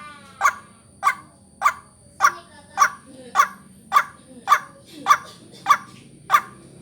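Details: Repeated coarse croaks of a white-breasted waterhen, about eleven in steady rhythm, from a lure call for vocal training. A thin electronic-sounding whine stays constant in the background.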